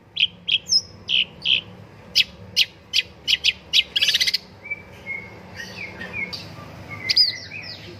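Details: Long-tailed shrike, called pentet or cendet, in an Indonesian master recording used to prompt singing: a rapid series of sharp chirps and clicks, a buzzy burst, then varied whistled and mimic-like phrases over a low hum.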